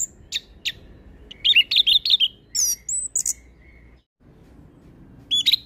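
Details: Orange-headed thrush delivering a varied, energetic song meant to train and draw out young birds: sharp chips, quick warbled phrases, a high looping whistle, a brief silence, then more chirps.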